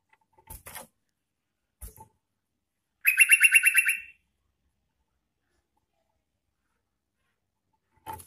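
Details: Yellow-vented bulbul in full song, used as a lure call for wild bulbuls, gives a loud, bubbling chatter of about ten quick notes in a one-second burst, with soft clicks and knocks before and after.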